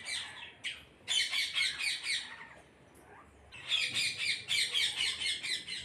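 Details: A flock of parrots screeching in rapid, pulsing bursts, roughly two squawks a second. The loud chorus stops for about two seconds, then resumes just as harshly.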